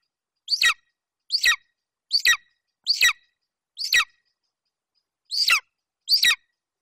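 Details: Golden eagle youngster in Bucovina, July 2021, guarding a delivered Eurasian hare at the nest and calling repeatedly: seven sharp, piercing squeals, each falling in pitch, spaced under a second apart with one longer pause, against a silent background.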